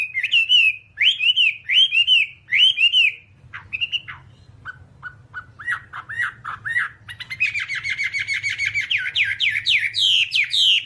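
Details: Whambie (Chinese hwamei) song played nonstop to teach caged birds: bold rising-falling whistled phrases repeated about once a second, a pause with soft short notes, then a dense, rapid run of mixed whistles and trills; low hum throughout.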